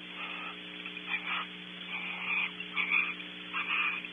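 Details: Barn owls in a nest cavity at Audubon Starr Ranch, California, during a long shared mealtime: harsh, raspy bursts repeated about every half second to second, some doubled, over a steady electrical hum and hiss.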